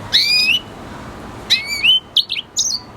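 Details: Red siskin song: a drawn-out nasal, slightly rising wheezy note, a pause, a second similar note, then a few quick high chirps.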